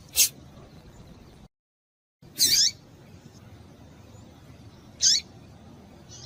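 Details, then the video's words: Female yellow-bellied seedeater (papa-capim) giving her call, used to get males singing: three short, high, thin chirps spaced a few seconds apart over a quiet background, with a brief silent gap. "Esse Piado de Fêmea de Papa capim é Seu Papa capim tui tui Vai Ficar Cantando."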